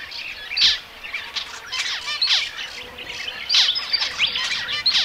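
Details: Zebra finches singing: busy overlapping chatter of short nasal beeps, squeaks and buzzy chirps from several birds, with louder bursts every second or so over a faint low hum.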